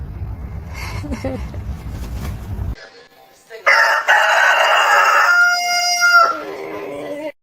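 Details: Rooster crowing in the morning: indistinct noise and sounds first, then a loud, long crow that holds steady and fades into a lower tail.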